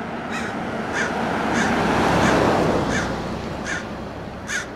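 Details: Mobbing American crows harass a roadside red-tailed hawk in Del Monte Forest, California; seven hoarse caws repeat at a steady pace over loud, swelling rumbling noise that peaks midway.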